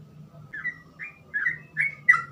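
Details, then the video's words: Trucukan, the sooty-headed bulbul, in 'gacor ropel' song with easily imitated phrasing: five softer, warbled whistled notes at half-second intervals, the last one sharper, over a steady low hum. "burung trucukan gacor ropel cengkok mudah di tiru"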